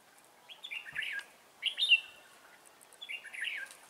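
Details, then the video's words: Decoy red-whiskered bulbul singing at a trapping site to draw in wild birds, 11 December 2016: three brief bubbly warbled phrases spaced over a few seconds, clear against a quiet background. "Bẫy chào mào Mồi tập sự ra trận"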